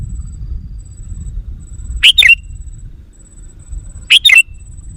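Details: Two short, loud, bubbly whistled phrases from a sooty-headed bulbul, about two seconds apart, used as a lure to agitate wild bulbuls, with quiet low rumble and a faint steady high tone behind.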